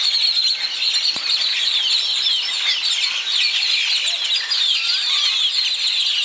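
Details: Many birds singing as day breaks over Zapotitlan de Mendez, Puebla. A dense high chorus of chirps and trills, with distinct short whistled notes and a rising call standing out, plus a brief sharp click early on.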